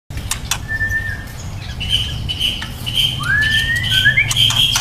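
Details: Young speckled (trotol) white-rumped shama described as promising: a level whistled note, then sustained high whistles and a rising slurred whistle climbing into further bright notes, with sharp clicks throughout over a steady low hum.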